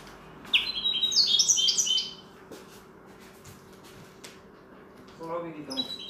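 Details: Common linnet trained to sing goldfinch-style song: a quick run of high, bright, tinkling twittered notes for about a second and a half, then a quiet gap with a faint low chirpy phrase near the end over steady room hum.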